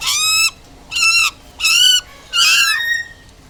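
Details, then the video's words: Butcherbird singing in clear, loud, evenly spaced phrases: four rich whistled notes with strong overtones, each about half a second long, the last one longer and falling, separated by short pauses. "Jagal Papua"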